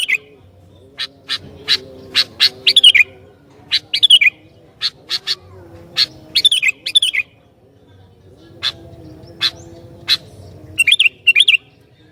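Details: A lively sooty-headed bulbul sings to provoke other bulbuls. Crisp, high, clipped notes come in quick clusters, mixed with short bubbly downslurred phrases. There are pauses between bursts, over a faint low hum.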